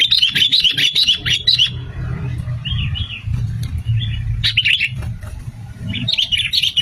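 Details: Sooty-headed bulbul lure song: rapid, bubbly warbled phrases, with softer single notes between them and a steady low hum underneath.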